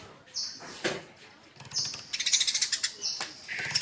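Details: Eurasian tree sparrows fighting: thin squeaky notes, a soft flutter, then a fast rattling series of high chirps and a final drawn squeak.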